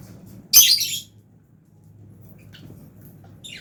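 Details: Fischer's lovebird eating in an aviary with albino lovebirds. One loud, shrill, grating squawk lasting about half a second, followed by quiet low hum and a faint thin chirp at the end.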